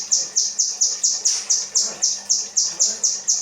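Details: For tutoring caged birds, kinoi 'rambatan' material: continuous high, penetrating chip notes with a falling edge, repeated about four times a second, fairly regular, with faint low murmuring beneath.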